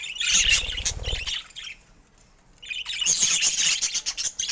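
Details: Budgerigars squawk and twitter in two loud bouts of high, raspy chirping separated by a quiet pause, with low fluttering at first.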